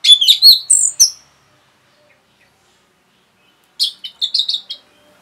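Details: Rapid song of an orange-headed thrush meant to excite other birds: a dense burst of loud mixed whistles and buzzy chirps lasting a second, over two seconds of silence, then a second quicker chattering burst.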